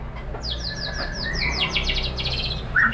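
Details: White-rumped shama song used as a lure (pancingan) to provoke other shamas into singing: a fairly soft series of quick, repeated downslurred high notes, becoming denser toward the end, over a low background hum.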